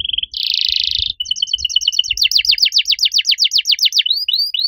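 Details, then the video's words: Loud, clear canary song in an unusual style, opening with a short whistle and a harsh buzzy rattle, then a row of level pips turning into rapid descending sweeps, slowing at the end. "Kenari gacor suara nyaring cengkok unik"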